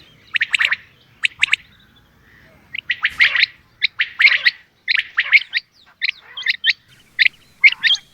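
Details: Female common quail calling: short harsh, squawky bursts in clusters of two or three, repeated irregularly across the clip, with quiet gaps between groups.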